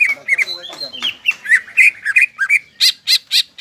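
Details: Greater green leafbird singing to stir stressed, silent leafbirds: quick varied whistled notes, then four evenly spaced loud, harsh chirps at the end.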